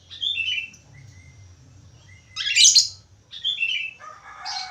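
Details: Budgerigar, called parkit Australia, in a busy singing session: short whistled notes and buzzy chirps in bursts high up, a harsh scratchy squawk near the middle, then a rising run of chatter.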